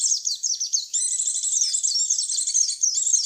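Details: Lure recording for attracting white-eyes: quick high chirps opening into a fast, unbroken twittering warble that carries on to the end.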